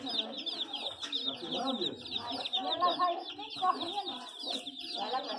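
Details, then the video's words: A flock of chicks keeps up steady high peeping, rapid repeated chirps layered over louder lower clucks and murmuring voices in the background. "Ouça o som de pintinhos"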